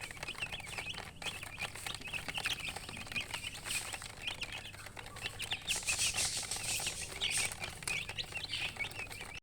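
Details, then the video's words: Chicks of domestic chicken peeping constantly: rapid, shrill, repeated high chirps from several birds at once, with a brief burst of hissing rustle or flapping midway. "Baby "Chicks Chirping" Sound"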